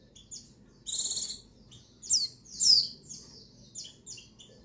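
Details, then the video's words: High-pitched female white-eye call, dated 22/6/21, meant to stir males to sing: a buzzy trill, then several quick downslurred chips and scattered short tweets. "Call Pleci Betina Perangsang Birahi Jantan"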